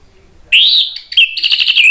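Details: Orange-headed thrush, agitated song used to provoke other birds into singing: loud whistled phrase rising and falling near the top, then a burst of rapid sharp repeated notes, clean with no other sounds.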